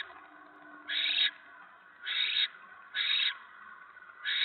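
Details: Barn owl in the nest during a mouse delivery, 10 November 2017, evening; four drawn-out, noisy screeching hisses, each nearly half a second, about one per second.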